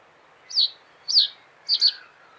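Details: Common reed bunting song, a terse high phrase of two clear falling chips followed by a quick paired note, with only light background hiss.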